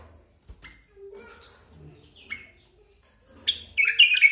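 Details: Basra bulbul calling indoors: scattered short chirps and slurred notes, then a loud burst of rapid, harsh, high chattering notes near the end.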